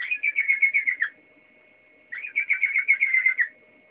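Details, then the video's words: Waterslager canary song in two rolling, gurgling trills of about a second each at mid-high pitch, separated by a silent gap, with a faint constant hum in the background. "Kanarie waterslager aan het zingen"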